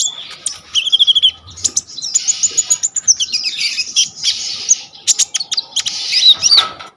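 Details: Brown-throated sunbird in full, energetic song, phone-recorded as training material for young sunbirds: a dense run of high twittering, with a buzzy trill and fast ticking notes run into a long, continuous chatter.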